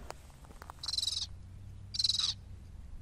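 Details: Sabine's gull giving two harsh, grating, rasping calls about one second apart, each lasting under half a second, over a faint low rumble.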